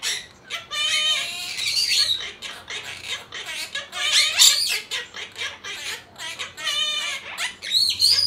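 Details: Pet monk parakeets (Myiopsitta monachus), a six-year-old green male and a five-year-old yellow female, sing mimicked songs together in a busy, squeaky stream of harmonic notes and raspy bursts, with little pause between phrases.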